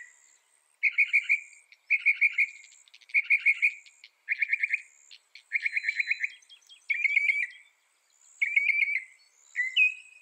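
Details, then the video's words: Northern mockingbird singing a sequence of short buzzy, chattering phrases about a second apart, each a rapid burst of notes that changes in character through the series, faint insect hum overhead. "Northern Mockingbird Bird Sound Bird Song Bird Call"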